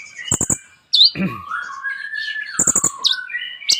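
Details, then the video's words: Kolibri ninja (Olive-backed Sunbird) singing a song rich in borrowed phrases: quick ticking triplets, a sharp high slur, a short harsh burst, then long low whistles rising and falling. "KOLIBRI NINJA GACOR FULL ISIAN MEWAH"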